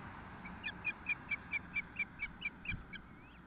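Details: Osprey at its nest 2 km west of Nelson, British Columbia, first feeding of 12 June 2014 at 4:08 pm: a steady run of about twelve clear high whistled chirps, evenly spaced roughly four per second, over faint low hum.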